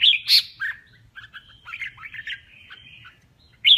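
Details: A male red-whiskered bulbul in a singing contest: two loud sharp whistles open, then a long soft run of chattering, warbled notes, closing with another bright whistle; faint hum below.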